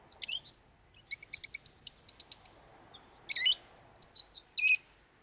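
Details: Pet lovebird singing, a parrot known for loud, frequent cries: a few sharp chirps, then a rapid run of about a dozen clipped high notes, followed by harsh rasping screeches and a brief thin whistle.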